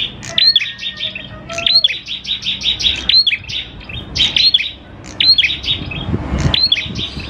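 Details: Actively singing prinia of the klawu type, played to get prinias singing fast: bursts of sharp, high twittering notes in clusters every second or so, with occasional sliding whistles and some low background noise.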